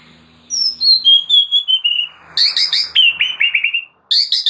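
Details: Energetic oriental magpie-robin song from a master recording for training birds: rapid, varied phrases of high whistled notes, descending slurs and quick repeated chirps, loud and continuous apart from one short pause near the end.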